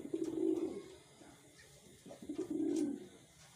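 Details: Two low, drawn-out coos from a kept wild pigeon, each under a second long, about two seconds apart, in a quiet setting.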